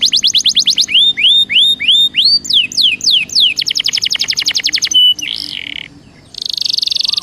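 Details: Belgian canary singing slower rising whistles, then fast even trills of high notes, followed by a buzzy note and a dense rattling trill at the end.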